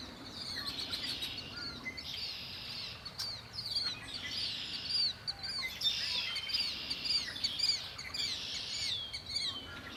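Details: Wild birds singing by Lake Erie: a busy chorus of sharp, high chirps and rising whistled notes in quick irregular bursts over faint background noise.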